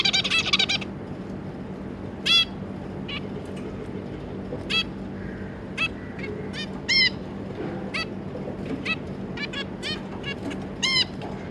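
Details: Zebra finches, a pair of adults with their three juvenile young, 25 July 2022: a rough burst at the start, then scattered brief nasal calls and quick doubled notes every second or so, with a constant low hum behind.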